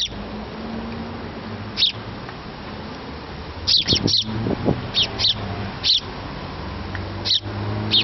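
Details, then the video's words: A small sparrow fledgling pleads for food from its parents, giving brief piercing chirps, a tight cluster of three in the middle, then spaced single notes, with low rumbling noise behind. "Птенец воробья выпрашивает еду"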